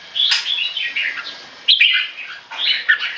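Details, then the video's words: Tame, caged Singapore-bred red-whiskered bulbul male under stress from human disturbance: short grating keke phrases in three quick bursts, with a brief wing flutter near the start. "นกหัวจุก JAMBUL- Virgo - Tame - Loud Clear Keke Training Test"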